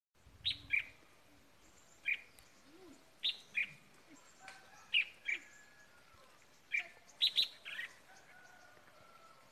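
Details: Red-whiskered bulbul kept as a decoy bird after Tet, giving short, bright chirped phrases that rise and fall. The phrases come in bursts every second or two, with a quiet rural background.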